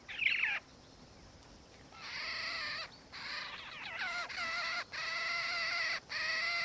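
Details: Black-faced cuckoo-shrike, subspecies melanops, recorded in Victoria, Australia, in December 2019: a short descending whistle, then long rolling, purring harmonic churrs repeated with brief gaps.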